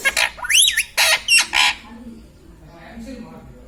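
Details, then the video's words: Talkative pet ringneck parrot: a burst of five or six harsh, speech-like syllables, one sweeping sharply up and down, then silence apart from faint background noise. "Mitthu Mitthu Bolne Wala Batuni Tota - Talking Parrot"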